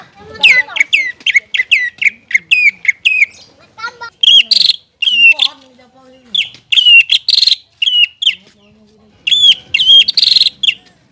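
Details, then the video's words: Greater green leafbird singing actively in captivity for training young birds: fast jumble of whistled notes, then separated loud phrases ending in buzzy, rasping flourishes, with soft lower twittering between. "CUCAK IJO GACOR MEMANCING CUCAK IJO BAHAN AGAR CEPAT BUNYI DAN GACOR"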